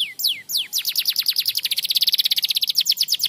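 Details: Canary song used as a training model for silent canaries: opening high descending whistled slurs, then a fast run of sharp rising-falling notes repeated about ten per second, bright and continuous.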